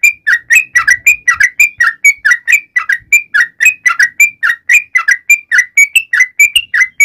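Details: Sooty-headed bulbul calling its companions: loud, lively whistled phrases, each a quick drop then a short upward flick, repeated almost twice a second with steady spacing, clean and close with no other sounds.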